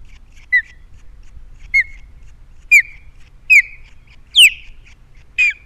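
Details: Osprey on a Captiva camera nest with three chicks, 21 February 2022: six loud, clear, downslurred whistled chirps, about one per second, each a little stronger and longer than the last, with a quiet background.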